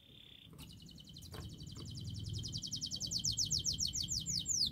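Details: Master song of a canary to prompt a non-singing bird: after a short buzzy note, a long accelerating trill of rapid high pulses builds in loudness over a low background rumble.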